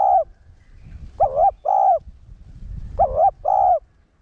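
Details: Caged spotted dove decoy calling in the one-ending 'hậu gù' style to stir caged males: a trailing coo, then two double-note phrases of wavering and sustained mellow notes over a low rumbling background.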